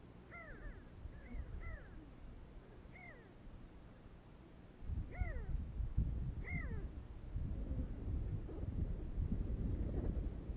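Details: Pterocles sandgrouse, desert birds: a series of short, clear, arched notes with stacked overtones, given singly and in pairs during the first seven seconds, over steady low rumbling wind or handling noise that grows louder toward the end.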